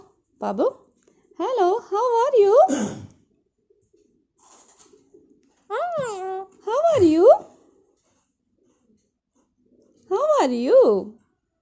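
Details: Pet parrot indoors saying 'Hello' and 'How are you', with people's voices nearby. Short bursts of high, wavering, tonal speech-like phrases recur about every four seconds, with quiet gaps between them.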